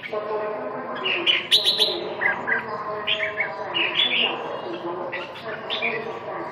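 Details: Red-whiskered bulbul giving a lively series of short, bright, rising chirps and whistled notes at an uneven pace, with murmuring human voices in the background.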